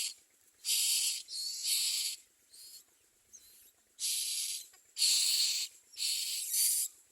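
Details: Common myna nestlings rasp in loud, breathy hisses, paired bursts alternating with softer ones at an uneven pace of about one a second.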